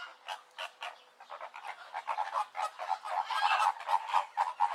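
Flamingos give a dense chorus of nasal, goose-like honks, many birds overlapping at about two calls per second and growing louder.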